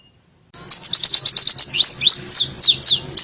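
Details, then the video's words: Loud white-eye song in canary-style 'tembakan' delivery, used as a lure for birds that are reluctant to sing: sharp high chips running into strongly down-slurred whistled notes, repeated quickly after a brief silence. "PLECI TEMBAKAN KENARI‼cocok buat pancingan burung yang lagi malas bunyi"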